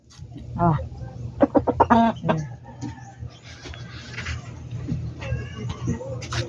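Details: Backyard poultry-farm chicken giving a burst of short, rapid, clipped clucks in an irregular run, then quieter scattered calls over a steady low hum.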